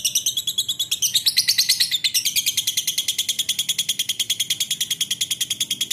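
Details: Lovebird giving a long chattering song: a rapid, steady train of high, buzzy chips repeated about three times per second, sweeping upward in the opening seconds, then continuing evenly to the end.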